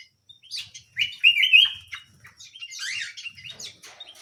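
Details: Small canary in song, chirps building into a loud sustained warbled trill, then a dense burst of high twittering notes fading out.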